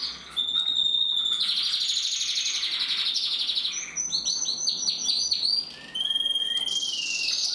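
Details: Male domestic canary from the 2021 breeding year in full song, mixing fast chattering rolls, sharp repeated chips and pure whistled notes, phrases running almost without pause for over seven seconds.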